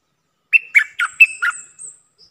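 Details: A single quick phrase of five bubbling, whistled notes from a caged red-whiskered bulbul decoy bird kept for luring, trailing into a thin high note.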